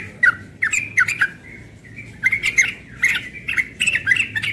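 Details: Young yellow-vented bulbul singing in ropel style in the morning: bursts of bubbly, slurred chirps around a steady tone, short phrases separated by brief pauses, with a faint low hum behind.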